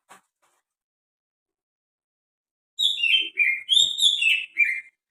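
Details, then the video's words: Greater green leafbird making odd sounds: after a long silence, a rapid run of slurred chirps and warbled notes for two seconds, jumping between higher and lower pitches, with a few faint soft knocks. "SUARA ANEH BURUNG CUCAK HIJAU"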